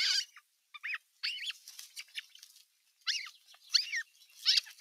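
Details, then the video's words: Older osprey chicks squabbling at nest #1 on 15 June 2023 while a parent watches from a perch; sharp, chirping high calls in quick bursts, broken by short pauses. "Isompien poikasten nahistelua"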